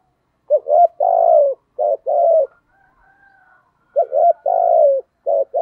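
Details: Repeated pushed coos from a thổ-voiced spotted dove: a stammered double note, then a long, smoothly descending coo. Two full phrases are separated by a soft pause with faint background murmur, and another starts at the end.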